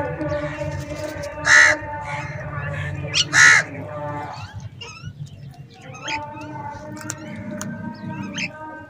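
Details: Crows fighting over food: two loud, drawn-out, hoarse caws about two seconds apart stand out over a low steady hum, followed by fainter chattering calls and soft background murmuring.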